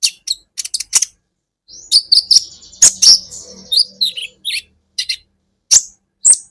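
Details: Training recording of a kolibri ninja sunbird: sharp high chips in small groups, a thin drawn-out whistle in the middle, and scattered single high notes toward the end.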